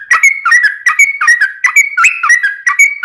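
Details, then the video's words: Yellow-vented bulbul singing 'ropelan' song for training birds: short bubbly phrases of two or three clear, slurred notes repeated roughly every half second, bright and liquid throughout. "Kicau Trucuk Ropelan Panjang Ngelituk Tanpa jeda buat Masteran"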